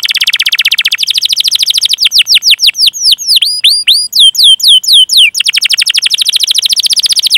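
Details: Canary, Indonesian training recording with long chirping and rolling song used to prompt young or silent canaries: a dense buzzy trill, then a run of steep swooping notes that slows, then a rapid trill again.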